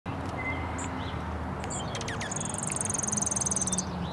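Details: In Michigan, a junco chasing away another junco gives a few thin, very high chips, then a fast buzzy twitter lasting about a second, over heavy low traffic rumble.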